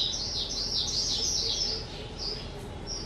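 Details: Two-year-old pet skylark recorded on 18 April 2023, singing a fast, continuous stream of high chirps and trills with brief rising and falling notes, fading slightly toward the end; faint background hum.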